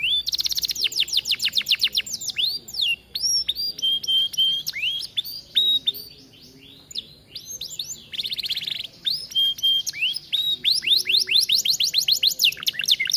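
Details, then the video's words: Atlantic canary in an aviary singing energetically, used as a master song for training: dense fast trills of falling notes, curved whistles and level tones, a brief lull, then a buzzy burst and more rapid rolling trills. "Kenari gacor cocok untuk masteran"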